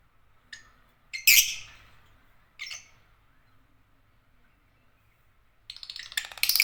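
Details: African lovebirds, Agapornis, chirping: a few sharp, bright chirps spaced over several seconds, one loud squeaky burst near the start, then a rapid harsh chatter of high notes at the end, with quiet gaps between.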